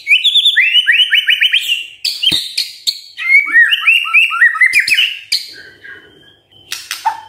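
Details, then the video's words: Morning song of a white-rumped shama, meant to trigger quiet birds into singing: rapid series of bright whistled notes repeated in runs, interspersed with sharp clicks and high chips, ending with a lower note. "Pancingan PAGI PAGI agar GACOR❗❗ murai DIAM pasti respon LEBIH gacor❗❗"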